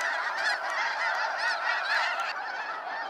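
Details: At Sacramento National Wildlife Refuge, waves of snow geese fly out at sunset, giving rapid, overlapping squeaky honks, a crowded chattering chorus that eases slightly toward the end.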